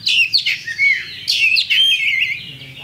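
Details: Champion Oriental magpie-robin giving a lure song to incite fighting: two energetic bursts of slurred whistles and buzzy sweeps, ending in a long drawn-out whistled note.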